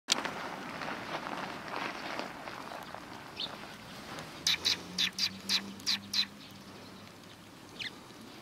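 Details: Sparrows coming to be fed on the front approach of a Tenmangu shrine, 12 April 2020: a quick run of about seven bright, sharp chirps midway, with a low steady hum and faint background noise.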